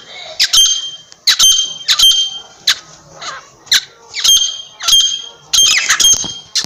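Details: Partridge giving short, hoarse, rasping squawks spaced about half a second to a second apart, some doubled, over a quiet background.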